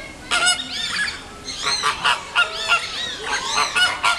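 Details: Captive flamingos with nestlings at Paris Zoo, Bois de Vincennes, as hungry chicks are fed: goose-like nasal honks with arched, bending pitch, in short bursts roughly every half second, a few birds overlapping.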